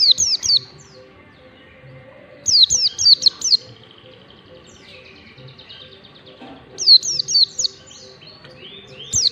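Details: Mountain white-eye delivering ngalas-style song used as a training lure: bursts of four to six rapid, high whistled notes each sliding downward, repeated every few seconds, with soft twittering between.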